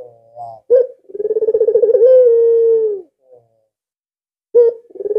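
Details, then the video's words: Vocal albino Barbary dove used as a decoy to set other doves calling, giving a throbbing, pulsed low coo that smooths into a sustained even tone, then a fresh coo starting after a pause. "BURUNG PUTER ALBINO SANGAT GACOR"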